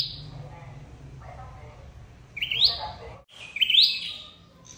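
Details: Red-headed flowerpecker call used as a trapping lure: two loud, sharp chips sweeping upward then falling, about a second apart, after fainter calls, over a low hum.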